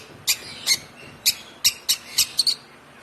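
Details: One-month-old hand-fed African lovebird gives eight short, harsh, high chirps at an uneven pace, some in quick pairs, over a quiet background.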